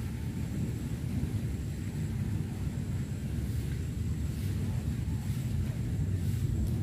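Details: Low, steady rumbling of wind or engine noise fills the recording throughout, with no animal calls heard.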